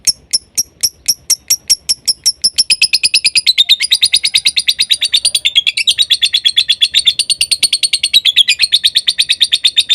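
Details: Lovebird song for prompting stuck or young lovebirds to sing: sparse, sharp, high ticks at first, then a dense, fast, scratchy chatter that runs on without pause.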